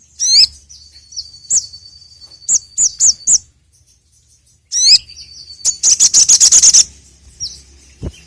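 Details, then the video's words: Sogon bird lure song, loud and clear: sharp rising whistles and a long thin high note, a string of quick high chirps, then a brisk buzzy trill of rapid notes after a short pause. "PANCINGAN BURUNG SOGON TERAMPUH SEPANJANG MASSA..!"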